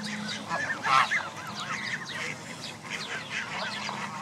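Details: Canada geese with their goslings, 29 of 32 families present, at Jess Ranch Lakes Park in spring 2014. A loud burst of calls near the first second, then continuous wavering peeps from many birds.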